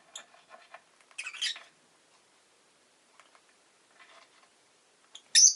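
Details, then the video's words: Pet rosy-faced lovebird making soft, rapid twittering ticks, one harsh squawk burst, quieter scattered chatter, then a sudden loud shrill squawk at the close. "Lovebird Chirping Sounds"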